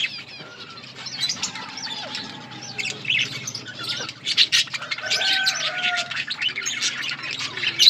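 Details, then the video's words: Budgies in a breeding colony chirp and twitter; some longer level whistled notes stand out, with wing flutters and a low hum underneath. "Budgies parrot chirping sounds budgies birds enjoying in budgies colony"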